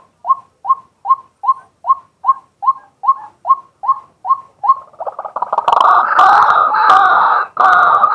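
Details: Male White-breasted waterhen calling by day, recorded live on a set-up camera: a steady run of short upswept notes about three per second, then breaking into a loud, harsh, dense croaking and roaring chorus.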